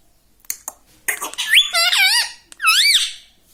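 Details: Pet rose-ringed parakeet mimicking words such as mummy and papa: light clicks, then a string of four nasal, up-and-down syllables, the last a rising then falling word, recorded indoors.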